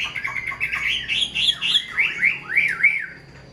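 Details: Hand-tamed hwamei kept in a cage, delivering a fluent whistled phrase: quick repeated notes climbing, then a series of clear arching slurs swooping down and up, about four per second.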